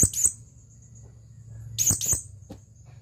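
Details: Male blue-crowned hanging parrot calling for a female: pairs of very high, sharp squeaky chips at the start and again near two seconds, with a faint steady high tone and low background hum.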